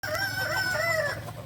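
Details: Balenggek rooster at a crowing practice contest in Ampang Kualo, Solok city: one long, even, tonal crow held steady for over a second, rising slightly near the end, over a low background hum.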